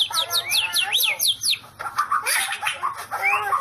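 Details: White-rumped shama singing in the 'sambaran listrik' (electric strike) style: a fast run of about nine repeated, high descending whistled sweeps, followed by rougher, varied notes and short chirps.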